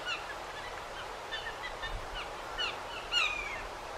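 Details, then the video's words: Blue Jays harassing a Red-shouldered Hawk sitting in a backyard pine give scattered harsh and sweeping calls, the loudest a sharp slurred note near the end, over a low steady hum. "Blue Jays Dive Bombing and Mobbing Hawk"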